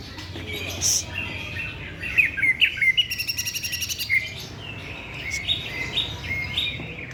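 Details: Greater green leafbird singing: varied bright chirps and whistled notes, a quick run of rapid repeated ticks midway, then sweet slurred phrases; low background hum throughout.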